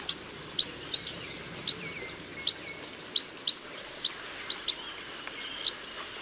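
Chestnut munia giving thin, high, clipped peeps, one every half second or so at an uneven pace, over a steady faint high hiss.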